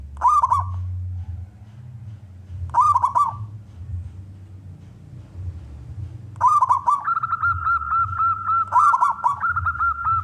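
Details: Indonesian local zebra dove in full song, used to prompt other doves to call. Short rolling coo phrases come about every three seconds; a steady high tone joins the later phrases over a low hum.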